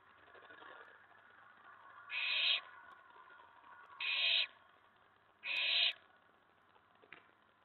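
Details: Owlet inside a nest box at night in May 2017, excited as an owl arrives on the tray following a mouse delivery; three short, breathy hiss bursts separated by quiet gaps, with faint background hum.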